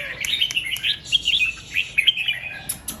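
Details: Red-whiskered bulbul, 'double 2-3' and 'rik' song styles, recorded in the morning by a set camera: continuous run of lively, wavering, whistled phrases with sharp chirps, fairly loud throughout.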